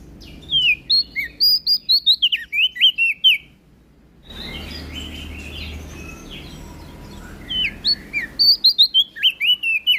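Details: Loud prinia song from NTB: two long runs of quick, high chirping whistles, broken by a noisy stretch with softer scattered notes in between.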